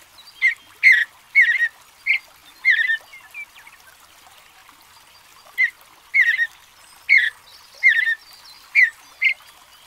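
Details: Mountain bluebird (Sialia currucoides) song: short, soft, slightly burry warbled notes about half a second apart, given in two bursts of five or six with a pause between.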